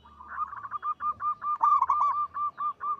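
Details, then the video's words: Local zebra dove singing steadily, with a big, long, melodious voice: a continuous string of short, evenly repeated cooing notes, slightly louder and rougher midway, with no other sounds. "Perkutut lokal gacor suara besar panjang merdu"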